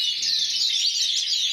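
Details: Short burst of song from a champion intense yellow canary, Spain 2014: a high, smooth warbling trill with gliding whistled notes.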